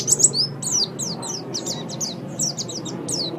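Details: Brief white-eye master song for training: a run of high, clear downswept twittered notes repeated in quick succession, about three per second, over a steady low hum.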